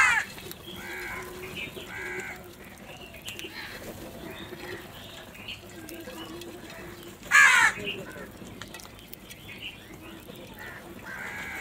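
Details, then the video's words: Crow cawing in the morning while feeding: a few short harsh caws early on and a loud rasping caw near the middle, over steady background hiss and faint other noises. "Crow eat and crow barking"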